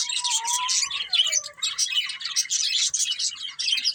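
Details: Budgerigars of a breeding pair chattering in dense high squeaky warbles. Early on, a clear lower whistled note slides gently downward.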